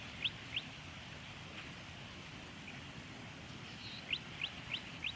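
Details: Golden-headed cisticola in Victoria, Australia, in October 2020: a soft buzz followed by a run of four short, high, rising clicked notes, with sparser single notes earlier, over steady low background rumble.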